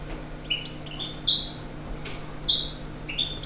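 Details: European goldfinch giving a quick series of bright, high twittering notes with tinkling upward and downward slurs, over soft background hiss and low hum.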